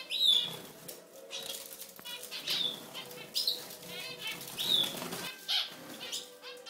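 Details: European goldfinch (Carduelis carduelis), song.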